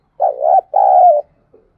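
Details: Spotted dove at first light giving its thúc gù call: two low, husky coos, the first uneven and rising, the second long and level before dropping. A faint short murmur follows after a pause.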